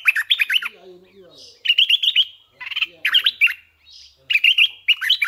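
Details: Red-eyed bulbul kept as a decoy bird, giving three bursts of rapid bubbly, warbling notes that rise and fall, separated by short pauses, with faint low chattering between phrases.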